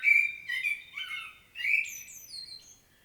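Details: Common blackbird in Świnoujście, Poland, recorded 25 September 2022, delivering a rich warbled phrase of mellow whistles followed by a descending series of thin, high squeaky notes that fade away.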